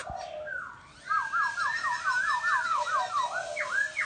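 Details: Laughingthrush delivering a fast, rolling chain of looping whistles, each wavering note repeated in quick succession like a warble, after a brief softer opening note.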